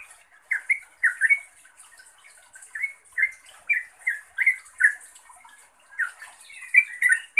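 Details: Yellow-vented bulbul calling to a rival or companion: short, bubbly chirps in scattered pairs and clusters, fairly soft, with brief gaps of quiet between bursts.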